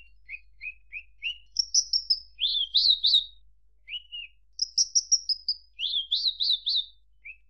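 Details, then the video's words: Javan bush lark repeating a phrase twice: a few short rising chips, then a high buzzy trill dropping into bouncing warbled notes. "Suara Kicau Burung Branjangan"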